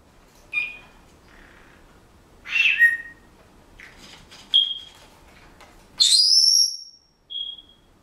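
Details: Pet Senegal parrot whistling bars of a song it is learning, mixed with household-noise mimicry: scattered whistled notes and rasping bursts, building to a loud sustained high whistle and a short soft closing whistle.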